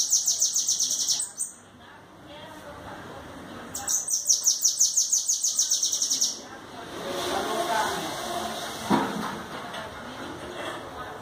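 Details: Bananaquit song: high, thin buzzy trills of rapidly repeated notes, two bursts of about one and two and a half seconds, followed by background noise and faint murmuring.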